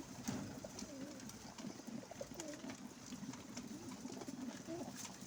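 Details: Pigeons of mixed colours at a window give deep gurgling coos in repeated bursts, some notes rising and falling, against a hissing background.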